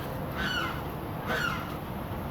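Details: A neighbouring egret, noisy almost every day, gives two harsh, croaking squawks about a second apart in the morning over a steady low rumble of background noise.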